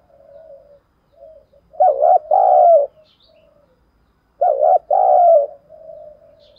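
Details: Decoy spotted dove calling to lure and provoke rivals, in the thổ song style. It gives a loud two-part cooing phrase, a short burst then a longer rolling coo, twice about 2.5 seconds apart, with soft low coos between.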